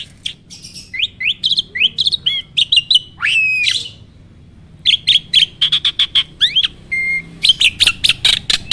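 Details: Starling song for training other birds to sing: rapid up-slurred whistles, a long harsh screechy note, a pause, then fast runs of sharp clipped notes and a steady whistled tone.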